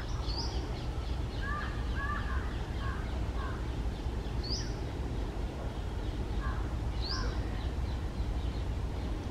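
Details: Red-breasted parakeet resting on a treetop on a lazy early summer afternoon: short harsh double notes in a quick burst, then scattered higher thin upswept chirps repeated every few seconds, over a steady low rumble of background noise.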